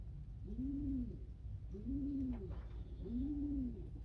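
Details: Domestic loft pigeons: three clear, rounded coos, each swelling and falling, repeated about every 1.3 seconds over a low hum.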